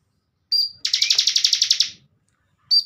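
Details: Caged bar-winged prinia used as a master for training contest birds: a high flat whistle followed by a fast run of about twelve buzzy pulses over one second, then another whistle beginning.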